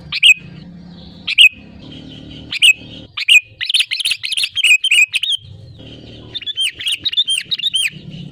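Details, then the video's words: Lure song of the sooty-headed bulbul for drawing other birds to sing: isolated sharp chirps that build into a long lively series of quick bubbling, down-slurred notes, over steady low hum. "SUARA ASLI BURUNG KUTILANG GACOR RAJA PIKAT UNTUK PANCINGAN AGAR BUNYI GACOR SEKETIKA"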